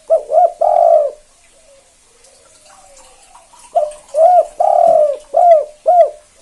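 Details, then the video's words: Zebra dove, a prized calling bird kept to provoke other doves into calling, giving loud low cooing notes: a short double coo, a long coo, then a rapid series of rounded, arched coos later on, with a quiet gap between. "Tekukur KUK 2 Gacor satu ini AMPUH Banget Pancing Derkuku Lain Biar Ikut Bunyi"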